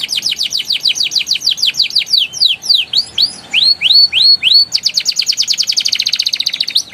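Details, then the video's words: Young canary ngeriwik and ngeroll song used to prompt juvenile canaries to sing: a fast string of downslurred whistles, slower looping upswept notes, then a rapid, even high roll. "PANCINGAN KENARI PAUD NGERIWIK NGEROLL GACOR EMOSI EFEKTIF UNTUK TERAPI KENARI MACET BUNYI"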